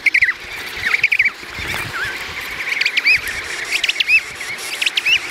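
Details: Emperor penguins in Antarctica give a chorus of high, thin whistles that swoop up and down, many voices overlapping about once a second over a steady colony hubbub.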